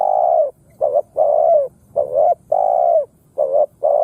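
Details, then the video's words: Spotted dove decoy cooing on the ground to provoke wild doves into fighting; loud, hollow coos in a fast, near-continuous run of short and drawn-out notes, some with a downward slur, with almost no gaps. "Tiếng Chim Cu Gáy mồi đất gáy kích bổi"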